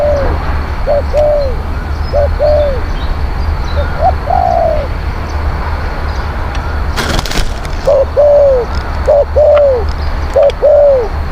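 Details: Spotted dove cooing, used as decoy to lure wild doves: repeated low, mellow coo phrases of two to three notes, each with a rising then falling final note, in bursts separated by pauses, with a brief loud crackle midway.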